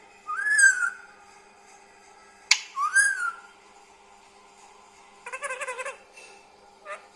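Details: Pet green parrot, a talker, producing two arched whistled calls with a sharp click between, then a buzzy harsh rattling burst and a short final note.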